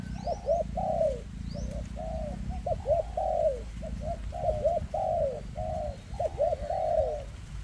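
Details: Spotted dove, a bird with a leg ailment, giving a tightly packed run of 'kèm rước' coos: paired short notes and longer sliding coos follow each other almost without pause, with brief high chirps behind and low hum.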